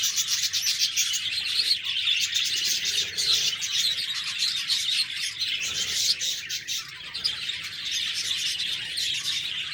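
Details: Dense flock chatter of budgerigars, layered high chirps, buzzy warbles and squeaky notes running continuously without a break.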